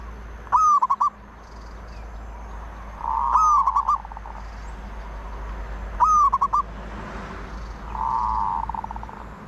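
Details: Zebra dove song phrases repeat roughly every two and a half seconds. Each opens with a bright upslurred note and breaks into rapid staccato pulses, mixed with drawn-out humming coos over faint background hiss.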